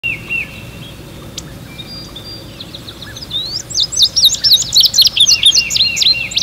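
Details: Adult male Indigo Bunting singing while setting up territory in early spring in New Jersey, recorded with a camera-mounted microphone. After a few soft notes, a loud run of high, sharp, paired notes repeats rapidly over faint background hiss.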